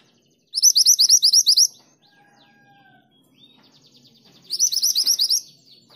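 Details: Female mountain mantenan calling the male, giving two separate bursts of rapid, high, upslurred chirps about four seconds apart, with faint quieter notes between.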